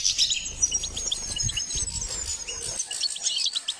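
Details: Goldfinch singing during a training session: a fast, busy stream of high twittering notes and thin whistled trills, with short buzzy chirps scattered throughout and a low rumble underneath for the first half.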